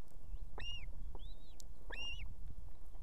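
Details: Evening at an osprey nest in Estonia, where the female calls the male in with food for her two chicks: two ringing, arched whistled cries about 1.3 seconds apart, with a fainter note between.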